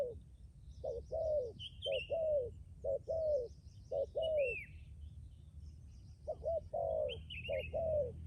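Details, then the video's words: Decoy spotted dove cooing persistently, each phrase a short clipped coo then a longer sliding coo, about one phrase per second, with twittering small birds and a high arched whistle behind. "Chia sẻ cu gáy mồi cứng gù hậu bền"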